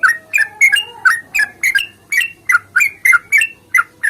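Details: Yellow-vented bulbul in an energetic fighting song used as a singing lure; a brisk, continuous series of short warbled chirps, roughly three each second, some doubled, with a soft low whistle behind.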